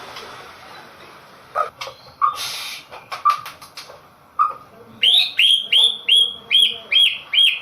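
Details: White-rumped shama, a singing-contest bird: scattered short chirps and clicks, then a run of about eight loud, clear whistled notes, each sweeping upward and levelling off, repeated roughly three times a second.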